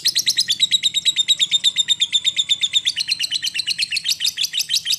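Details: Lovebird giving a long 'ngetik' into 'ngekek' chatter meant to coax a silent bird to sing: rapid, rhythmic, piercing notes repeated several times a second without a break, slightly rising in intensity toward the end.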